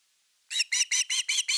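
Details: Osprey at a nest camera on 30 August 2021, evening fish time: six loud, ringing whistled chirps delivered rapidly and evenly after a moment of quiet.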